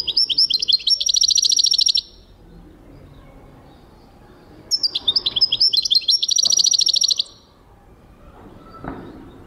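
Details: A European goldfinch sings in 2023, delivering two separate two-second phrases of clipped high notes ending in a dense buzzy trill, with quiet gaps and a faint knock between them.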